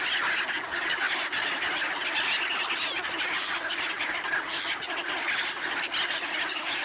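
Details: Black-headed gulls swarming for bread at a swan wintering place in Ibaraki, Japan, in December 2017. A busy chorus of scratchy, overlapping calls with a few higher squeals standing out above the crowd noise.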